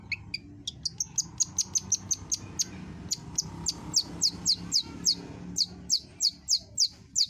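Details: Long-tailed shrike singing energetically, its song called gacor: a rapid run of roughly thirty thin, high, downslurred notes, irregularly spaced and growing louder toward the end, over soft low background noise.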